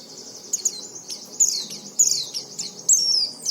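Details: Oriental white-eye used to encourage other white-eyes to sing: sparse, high, thin chirps with short downward slurs, roughly forty a minute, over low background hiss.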